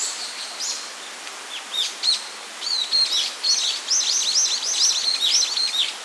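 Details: Japanese paradise flycatcher on its nest on the second day of incubation, 6 June 2020: the male incubates and the female returns to take over. Thin, high chirps and short down-slurred notes come in quick, uneven bursts, growing busier and more continuous in the second half.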